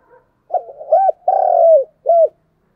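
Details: Spotted dove cooing to lure wild doves and spur them to call: a single phrase of two short hoots, a long trembling coo falling at the end, and a brief closing note, clear and close.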